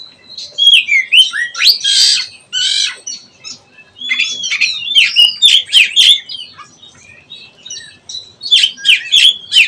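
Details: Juvenile oriental magpie-robin practising its ngeplong song: varied whistled phrases mixed with harsh rasping squawks and sharp clicking notes, delivered in quick uneven bursts with brief pauses, ending in a rapid run of staccato chips.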